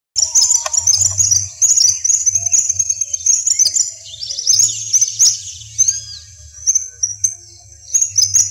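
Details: Western yellow wagtail, known locally as "corre caminos", recorded in the savanna region of Corozal, Sucre, Colombia. Dense, overlapping high thin chirps and sharp tweets run almost continuously, with a few rising and falling slurred notes near the middle.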